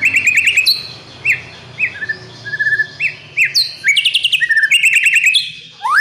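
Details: Murai batu, the oriental magpie-robin, singing for a tutoring and lure recording meant to coax a young bird into full song; loud whistled phrases, short upward slurs and quick trilled runs in varied bursts.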